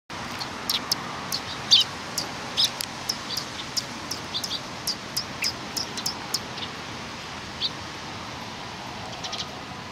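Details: Eurasian tree sparrows coming to be fed at a Tenmangu shrine, recorded 24 April 2019: short, sharp chirps scattered irregularly, about one a second, with a few louder notes near the start over steady background hiss.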